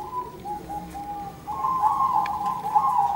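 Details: Zebra doves singing back and forth, a soft cooing song of steady and slightly wavering tones held near one pitch, growing fuller and louder in the second half, with faint clicks in the background.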